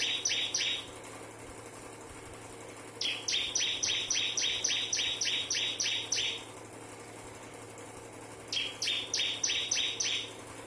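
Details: Bar-winged prinia of the ciblek kristal variety singing in 'nembak' fashion: three bursts of rapid, ringing, buzzy double notes repeated about four times a second, separated by short pauses, with a steady low hum beneath.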